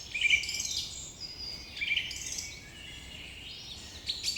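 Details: Morning bird chorus with sharp high chirps and smooth whistled notes from several birds, swelling in short bursts then easing off.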